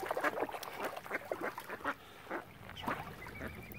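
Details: Flock of ducks gathered around swans on Lough Neagh, Oxford Island, Ireland, giving short harsh quacks roughly once a second, several birds calling over one another.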